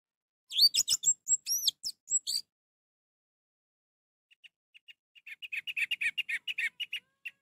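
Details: Song of an orange-headed thrush, used to stimulate a reluctant bird into singing: an opening run of bright whistled slurs, a pause, then a long series of rapid, lower chirping notes.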